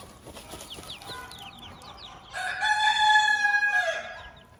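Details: Farm hen with her chicks: thin, high peeping of the chicks at first, then the hen gives a loud, drawn-out nasal call lasting over a second, with the chicks still cheeping softly behind.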